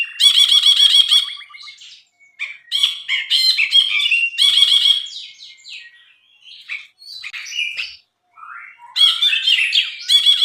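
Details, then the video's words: Brinji song given as a tutor recording for cage birds: loud bursts of harsh, buzzy chatter alternate with sharp high chirps and short whistled notes, delivered in rapid irregular phrases with brief pauses between them. "MASTERAN BRINJI GACOR"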